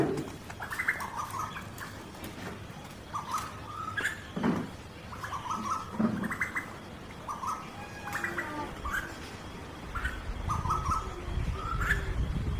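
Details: Male and female Asian koels (Eudynamys scolopaceus) in India exchange mating calls: bursts of quick, shrill, stuttering notes in clusters every second or two, over low rumbling background noise.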